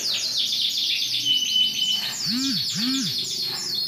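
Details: Big sunkist-coloured Yorkshire canary with a TKF ring 20, recorded 28 January 2021 while singing vigorously. It delivers a dense run of fast, repeated high trilled notes, then a sustained whistle, followed by lower, slurred phrases. Two low arched tones sound near the end.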